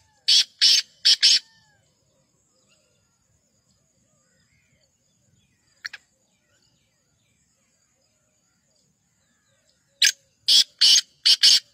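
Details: Black francolin call: two bursts of harsh, loud, broadband grating notes, three to four in quick succession, separated by about eight seconds of near silence with one faint brief note.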